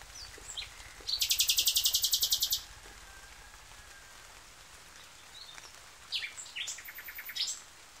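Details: Nightingale in song: a loud, fast, dry rattling trill of evenly spaced strokes lasting about a second and a half, followed after a pause by scattered sharp, high chirps and short whistled notes.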